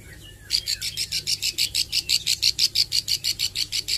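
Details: After a quiet half second, a young Plain Prinia practising song bursts into a fast train of sharp, buzzy high notes, about three each second, sustained to the end in 'nembak' style.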